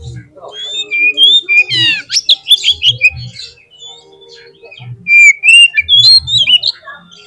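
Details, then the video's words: Lure song of a white-rumped shama, meant to get a bird singing: varied whistles and a harsh rasping burst, with quieter stretches and soft low thumps between phrases. "PANCINGAN KACER GACOR 30 MENIT AUTO MONCER DI LAPANGAN"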